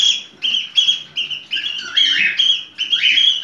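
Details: Cockatiel (Nymphicus hollandicus), mating call: courtship in breeding condition.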